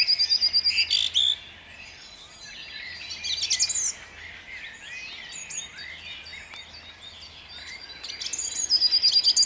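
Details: Dawn song of a song thrush at Jabłonna on 29 April 2021: it opens with a rapid high rattle, then varied sharp whistled phrases, and ends with another quick series of repeated notes over a soft chorus.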